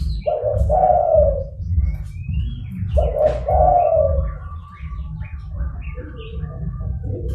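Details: Zebra dove lure call for catching wild doves: two loud rolling coo phrases about three seconds apart, then a quieter third, with faint rising whistles of other birds and low hum.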